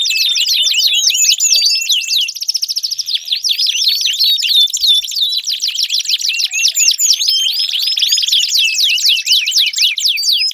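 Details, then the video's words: Long canary song for encouraging a non-singing canary: continuous rapid warbling with fast trills, rolling tours and sharp upswept notes, a dense unbroken high-pitched flow for over ten seconds. "Pancingan Ampuh Kenari Gacor Panjang, 4 Suara Burung Kenari Ampuh Untuk Pancingan Kenari Macet Bunyi"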